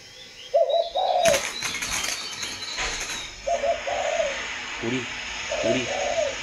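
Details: Spotted dove cooing in Vietnam, repeated low two-note coos with short grunting notes between them, accompanied by loud wing flaps or rustling and handling noise near the start.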